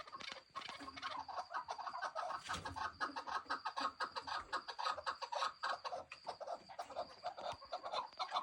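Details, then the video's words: Young chukar partridge chicks giving a dense, continuous chorus of short high peeping notes from many birds at once, with a faint voice in the background. "Yavru keklikler"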